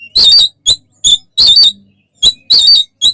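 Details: Oriental magpie-robin in full fighting song, a lure meant to make other magpie-robins agitated: loud, harsh rasping bursts, some doubled, separated by short silences, about one burst every second, with a faint low hum behind.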